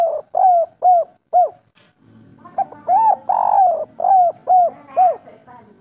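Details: Kuk 3 style song from a local spotted dove: a run of short falling coos, a brief gap with low rumbling background, then a full phrase with a long drawn coo followed by three quick descending notes.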